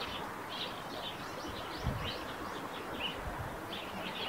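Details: Eurasian tree sparrows by a nest on a roof, twittering continuously in short, high, slightly buzzy notes, uneven in rhythm, over soft background noise and a low thump.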